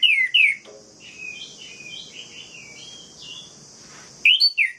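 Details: Orange-headed thrush singing to provoke rival males, loud slurred whistles opening and closing the phrase, a quieter chattering series of short varied notes in the middle, over a constant high-pitched hiss.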